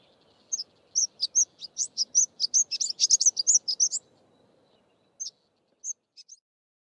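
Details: A Greater Double-collared Sunbird, a common bird of South Africa's Eastern Cape, gives a rapid run of high, thin, sharp chips about twice a second, then a few scattered notes over a faint low hum.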